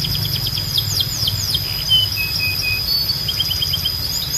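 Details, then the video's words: Canary singing in a loud, clear compilation: series of quick downslurred whistled notes, a pause with short flat buzzy trills, then more rapid chirps; steady high background hiss and low hum. "Ultimate Canary Singing Compilation – Loud, Clear & Relaxing Sounds"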